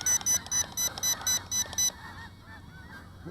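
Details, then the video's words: Snow geese nearby at night give harsh, nasal honks about four times a second for two seconds, then fainter, falling honks farther off, over the steady mechanical whine of a small drone. "Got snow geese in the area, as you can hear."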